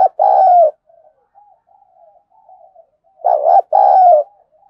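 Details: A fired-up spotted dove giving 'giọng thổ' contest calls: two loud paired coos, short then long and falling, with soft quavering murmurs filling the gap between them.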